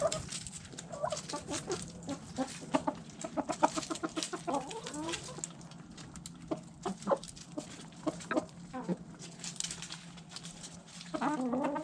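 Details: Backyard chickens eating food scraps, hens clucking: short scattered clucks and pecking clicks, with a few harmonic drawn-out calls near the middle and end over a steady low hum.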